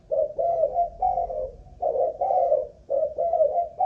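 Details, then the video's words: Ground decoy spotted dove, Malaysian strain, cooing under an endurance test: drawn-out mellow hoots, the longer ones wavering and dropping slightly, in pairs separated by short gaps. "Cu Gáy Mồi Đất || Test nước bền chim cũng thấy khá ổn"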